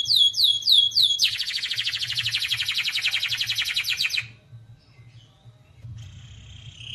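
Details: Canary singing: a series of quick, rising, whistled notes that run into a long, fast, buzzy trill lasting about three seconds, then a short pause and softer warbling. A low hum sits in the background.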